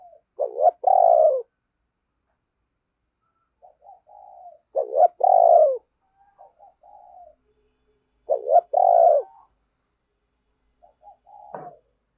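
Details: Caged lure spotted dove singing to draw in wild doves. It repeats a throaty phrase about every four seconds: a stuttering two-part start, then a drawn-out falling coo, with quieter soft notes after each phrase.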